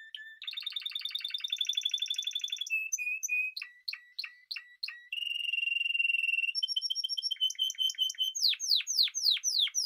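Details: A Spanish timbrado canary sings long rolling trills, short detached notes, a smooth sustained roll, then a rising series of loud bright sweeping chirps at the end.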